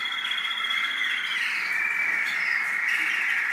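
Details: American singer canary kept for breeding in the UAE, a long sustained warbling song with steady tones and trills, loud throughout with a faint murmur of speech in a small room.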